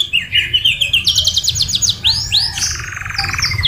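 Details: Canary singing a masteran tutor-style song full of murai batu fill phrases: quick buzzy trills, swooping arched whistles, and a long fast rattling trill toward the end, with a faint low background hum.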